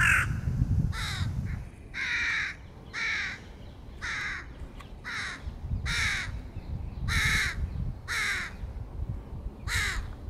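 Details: Crows feeding their young in 2022: a steady series of harsh, nasal caws, about one per second, each a broad raspy burst with some shorter, thinner notes between them, over low background rumble.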